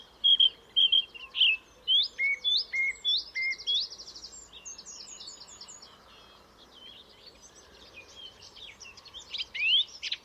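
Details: Song thrush singing clear high phrases, each repeated two or three times: whistled doubled notes, then a run of short downslurred notes, a quiet gap with distant twitters, and a loud rising note at the end.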